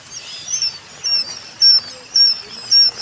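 Japanese quail chicks give thin, very high peeping calls, short notes repeated about every half second, with faint background chatter.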